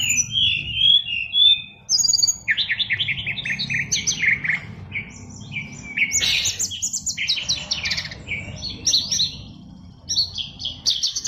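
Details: Oriental magpie-robin kept as a fighter-type cage bird pours out a full, varied song. Rapid repeated chattering notes, rising whistles, and harsh trilled bursts follow one another with few pauses, over a low steady hum.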